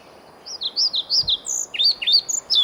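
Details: In Sweden, a male pied flycatcher sings while a female listens; a rhythmic run of paired high notes, see-sawing up and down, followed by sharper sweeping notes that climb at the phrase end.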